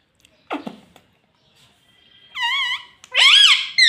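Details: Rose-ringed parakeet talking "mummy papa": a short low sound, a pause, then a wavering sustained harmonic note and a loud swooping, rising word-like phrase.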